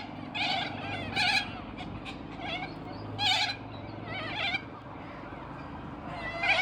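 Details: Wild white cockatoo flock in a park during winter, giving separate harsh screeching bursts about every second or so, with gaps between them, over a low background hum.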